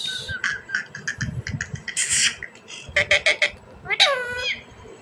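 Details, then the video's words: A pet talking rose-ringed (ringneck) parakeet chatters in quick, speech-like syllables, breaking into a few clipped bursts and ending with a harsh, falling screech. "parrot bird talking,desi parrot ki boli"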